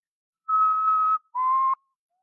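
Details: Common potoo (Nyctibius griseus) call: two long, mournful whistled notes, the second lower than the first, each held under a second; this species is heard calling at night.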